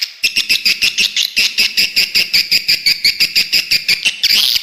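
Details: Lure call of swiftlets for a bird house, a steady series of loud, high, buzzy chirps pulsing about three times a second with a rattling edge.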